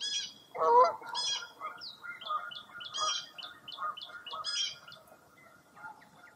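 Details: Mixed birdsong on a foggy early April morning at Mirror Lake State Park, Baraboo, Wisconsin: a louder low honking note near the start, then overlapping high chirps, whistles and warbled phrases from several birds.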